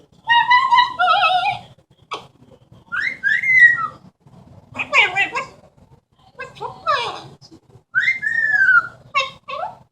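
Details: Indoor pet Amazon parrot imitating sounds and talking: a nasal harmonic chatter, a sharp click, then several swooping whistles and raspy speech-like phrases, with a person's voice nearby.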